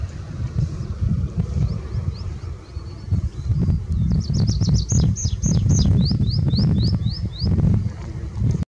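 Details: Tree pipit song recorded at Tagle: soft thin notes build into a fast bright trill, ending with five or six rising whistled slurs, against loud low-pitched background rumble.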